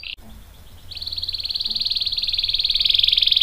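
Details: Canary song to draw other canaries into singing: after a short whistle and a click, a steady buzzy trill starts softly and swells louder to the end.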